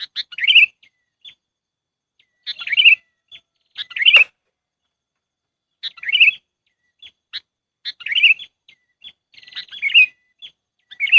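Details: Sooty-headed bulbul lure call for bird trapping: loud gurgling chatter phrases every one to two seconds, with short high chips between them and a sharp click near the middle.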